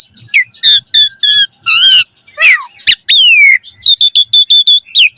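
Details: Asian pied starling singing vigorously in a varied gacor style rich in mimicked phrases, used as a lure for training caged birds: clear descending whistles, squeaky rising notes and short buzzy bursts in quick succession.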